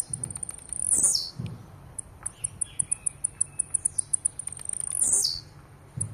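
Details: Blue-black grassquit in aggressive song, giving two buzzy, high descending phrases about four seconds apart with a rapid series of crisp high ticks between them.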